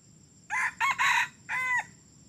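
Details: Red junglefowl that began crowing only three weeks ago, taken out as a decoy for trapping. It gives one loud, clipped crow in four harmonic bursts lasting about a second and a half, over a faint low hum.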